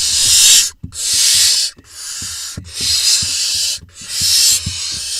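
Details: Barn owl nestlings in an Israeli nest box on 20 June 2021, while the smallest chick swallows a vole: loud rasping hisses of about a second each, broken by short gaps, with soft thuds and scratching beneath.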